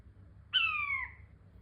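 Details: King quail calling once: a clear, drawn-out whistle falling steadily in pitch over about half a second, over a quiet low background hum.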